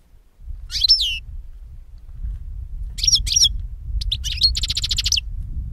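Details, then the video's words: European goldfinch singing, a recording used to lure birds for capture: bright liquid twitters with slurred descending notes, followed by a quick buzzy trill of rapid repeated clicks, with a low background rumble. "Chardonneret qui chante"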